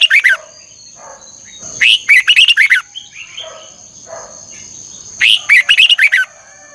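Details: Morning singing of a red-whiskered bulbul, 'ché căng lửa' double-twisted voice, meant as a lure for training birds. Three bouts of rapid, jerky whistled notes, about a second each, with soft low chirps in the gaps and a steady high whine.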